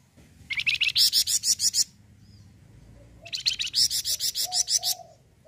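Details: Flamboyan bird singing its full song, meant to draw other birds into singing; two fast runs of sharp, high, repeated chirps, each roughly a second long, with a quiet pause and soft low notes between.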